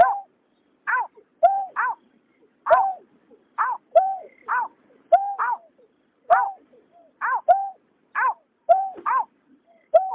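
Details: A male and female water rail pair, 2021, trade calls in a steady series: a flat, slightly falling nasal note followed by a higher, harsher downswept note, repeated roughly every second with clean silence between.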